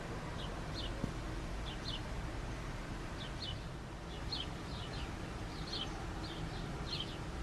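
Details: House sparrows in an urban setting; short high chirps scattered irregularly through the clip, several per second in loose groups, over a steady low rumble of background noise.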